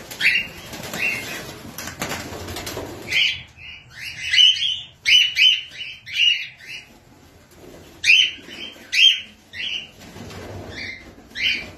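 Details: Cockatiels in a collection in Belgium give short, bright chirping calls in quick repeated bursts, with soft fluttering noise early on.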